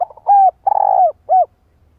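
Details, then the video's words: A female spotted dove calls to excite a male: soft lead-in notes, a sustained hooked coo, a longer vibrating rolled coo, and a short arched closing coo, all mellow and mid-pitched. "Cu gáy kích bổi - chim cu gáy gọi"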